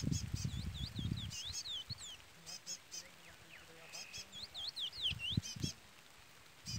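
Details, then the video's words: Chestnut-bellied seed finch (curió pardo), Trola song style, with a chick peeping: clusters of high peeps mixed with swooping whistled notes that rise and fall, plus bursts of low noise and faint human voices. "Curió Pardo cantoria Trola / Curió Pardo Trolinha"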